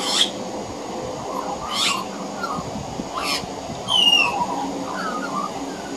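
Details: A juvenile male Australian magpie hides on a veranda practising its carolling, with juvenile pied butcherbirds also practising: three harsh rasping bursts, a bright slurred whistle and soft low warbles over a steady hiss.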